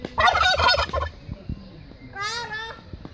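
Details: Domestic Bronze turkey, a breed named for its bronze-sheened plumage, giving a loud rapid rattling gobble lasting about a second, then a shorter, higher warbling gobble with stacked harmonics; faint background noises between calls.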